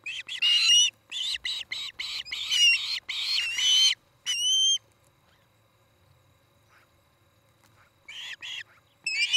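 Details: Osprey at a nest in Charlo, Montana, on an evening in mid-August: a rapid series of high, whistled chirps for about four seconds, one drawn-out whistle, then after a pause a few more chirps.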